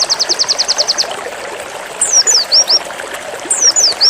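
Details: Pleci white-eye zipper song ending a quick high trill, then after a pause two phrases of descending slurred whistles about 1.5 seconds apart, over a steady hiss.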